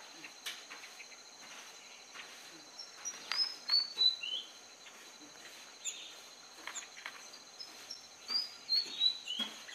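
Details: At Fraser's Hill, where it is rarely seen and seems to have moved up from the lowlands in warmer-than-usual weather, a Malaysian Pied Fantail gives two short runs of high, squeaky, downward-stepping whistles over a steady insect hum and faint clicks.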